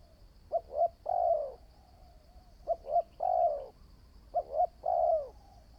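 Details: Young decoy spotted dove in training: three evenly spaced phrases of paired short hoots and a long warbling low coo that drops at the end, with a faint persistent high-pitched tone.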